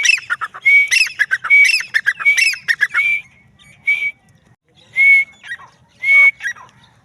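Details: A female grey francolin (Dakhni teetar) calls in a dense run of loud, grating notes with ringing whistled tones. The run thins into spaced single bursts about one second apart, over a faint low background hum.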